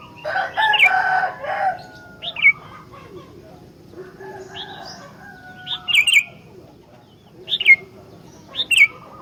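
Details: Sooty-headed bulbul kept as a vocal master for training other bulbuls: a noisy fluttering burst opens, then bright chirps, often in quick pairs, spaced a second or two apart.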